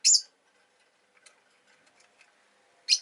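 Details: Kept rosy-faced lovebirds, two together at the entrance, give a shrill harsh chirp, then soft clicks and faint scratching, then another sharp grating chirp.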